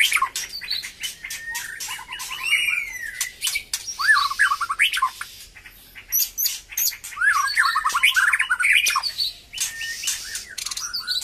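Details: White-rumped shama regaining full song after its moult, delivering a long mixed sequence of rich whistles, upslurred notes and warbling trills broken by many sharp clicking and rasping sounds.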